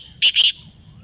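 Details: Kala teetar or black francolin replying to a played call with two quick, harsh, rasping notes back to back, then silence apart from a faint low hum.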